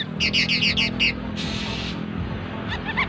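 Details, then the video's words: Sooty-headed bulbul (cucak jeling) singing in 'teler' style, suited as a song companion for thrush-type birds: a quick run of about six bright, ringing chirps, a brief harsh burst, then soft trailing notes over a steady low hum. "CUCAK JELING TELER cocok buat pendamping BURUNG JENIS ANIS"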